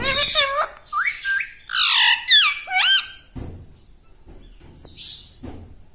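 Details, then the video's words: Pet parrot mimicking human speech, including words like mummy and mitthu: a rapid run of squawky, wavering, speech-like syllables with bending harmonics, then quieter room sounds and a final high squeak. "Talking Like a Human - Mummy Bolne Wala Tota - Talking Parrot - Mitthu Mitthu"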